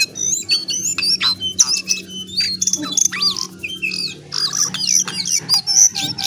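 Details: Energetic lesser shortwing (jongkangan, cingcoang coklat) song of fast, varied high notes: thin whistles, upslurred squeaks and scratchy trills tumbling together almost without pause, with a steady low background hum.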